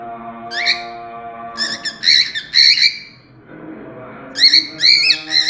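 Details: A pet cockatiel sings bright, warbling whistled phrases in short bursts with brief pauses.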